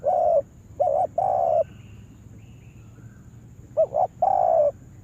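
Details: Lure spotted dove used for trapping gives low cooing notes: a long coo, then a short double coo and another long coo, a pause, then the phrase repeats.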